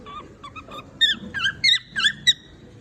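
A cockatiel whistles a quick run of clear, slurred notes: soft short chirps at first, then louder rising-and-falling whistles about every third of a second.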